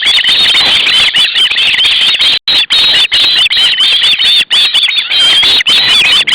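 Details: Osprey young, two fledged days earlier and one youngest sibling, screaming for the fish the male brings, August 2012; a near-continuous, piercing, wavering squeal with only a couple of short breaks.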